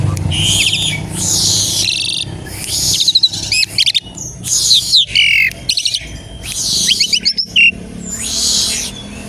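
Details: Lure song of an Asian pied starling, played to spur other starlings into song: repeated scratchy broadband phrases mixed with rapid down-slurred whistles and stuttering chatter.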